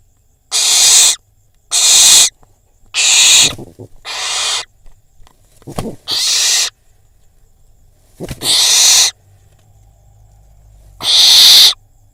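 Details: Barn owl fledgling filmed in Israel after a prey drop, eating by a pigeon; spaced harsh hissing screeches, some weaker, coming irregularly every one to three seconds with soft rustling between.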